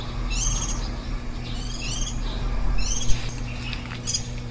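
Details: Warbling white-eye at its nest on 23 July 2018, the day before the 10-day-old chicks fledge, giving four short bursts of thin, high, rapid chirping notes about a second apart over a steady low mechanical hum.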